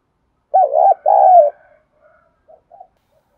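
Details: Spotted dove call used as an effective lure to draw wild doves, from Đồng Nai, Vietnam; two loud, low, rolling coos in quick succession, then a few soft, faint coo fragments trailing off against a quiet background.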